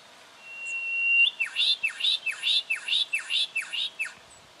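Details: Juvenile brown goshawk recorded in October 2011 in Victoria, Australia: a thin, level whistle swelling in volume, followed by seven sharp down-slurred notes delivered evenly at about two per second.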